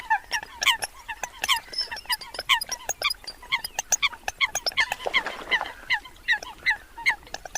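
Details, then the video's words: A group of Eurasian coots keeps up rapid overlapping calls, clipped nasal yelps packed closely together, with a brief rushing hiss breaking in near the fifth second. "tiếng sâm cầm"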